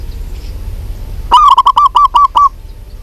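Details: Local zebra dove, a female calling a male: one loud stuttering coo of about seven quick, clipped notes in a low hollow tone, over faint background hiss.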